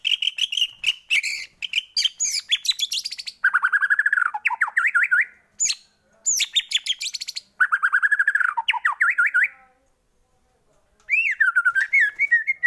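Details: White-rumped shama song used as a lure to trigger singing in other shamas: dense chattering and sweeping whistles, fast trilled bursts repeated between short silences, ending in a clear looping whistle.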